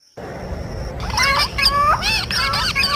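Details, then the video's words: Parrot giving loud harmonic squawks and arched, whistled calls after a brief steady high tone, the calls coming in quick clusters over low rumbling background noise. "talking parrot Natural 🦜 sound voices"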